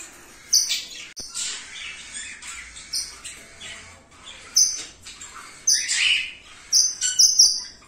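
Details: Indian ringneck parakeets of a new breeding pair, a turquoise-blue male and an albino female, making repeated sharp high chattering notes mixed with scratchy squawks, in irregular bursts.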